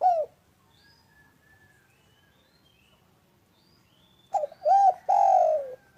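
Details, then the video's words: Spotted dove calling loud and clear: one short coo opens, then after a long quiet gap comes a phrase of a brief note, an arched coo, a long drawn-out falling coo and a short closing note, with faint thin whistles behind. "MASTERAN DERKUKU malas bunyi biar cepat GACOR"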